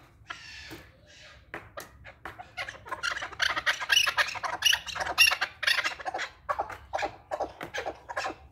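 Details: Male chukar partridge calling: harsh, broad clucking chuk notes at about two per second, starting softly and building into a louder, excited run of rasping pulses, with a faint room echo.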